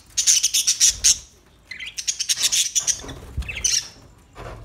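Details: Newly acquired pet budgerigars: rapid series of scratchy high chirps, a pause, then another run of chattering squawks and warbles.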